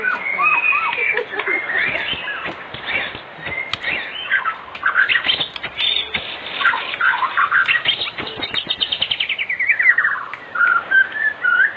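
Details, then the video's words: White-rumped shama, an afternoon lure meant to get young shamas singing: dense, varied song of rapid whistled slurs and chattering notes, rising and falling, ending in a fast descending trill series, the sound thin and cut off. "Pancingan Sore Murai Batu Gacor di Jamin 100% RESPON buat pancingan murai batu pastol agar bunyi"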